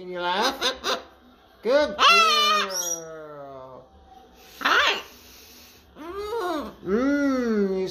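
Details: A pet female macaw talking a lot, mimicking human speech, chatters speech-like phrases: a quick double syllable, a long falling drawl, a harsh squawk, then more rising-and-falling words in a small room.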